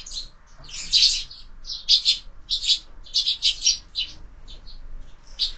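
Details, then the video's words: Evening sparrows at a feeder mounted on a window; dense bursts of harsh, high chirps around the one-second mark, then spaced single and doubled chirps, close and clear against near silence. "Воробьи в кормушке - ужин стартовал"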